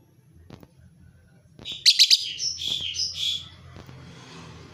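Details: Lovebird without a mate sending out a sudden rapid run of shrill, high chirps and squeaks lasting about two seconds, then fading into soft hiss, after a near-silent start with a low hum.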